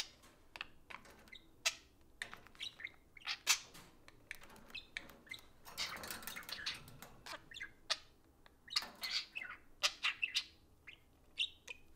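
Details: Two pet parakeets socializing over an iPhone. Dense ticking clicks and short chirps are broken by a burst of broadband scratchy noise midway, with thin twittered notes returning toward the end.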